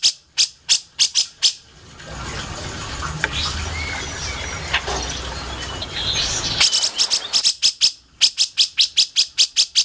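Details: Grey-cheeked bulbul for songbird mastering: bursts of rapid, rasping repeated notes at the start and end, separated by a quieter stretch with soft chirps and hiss.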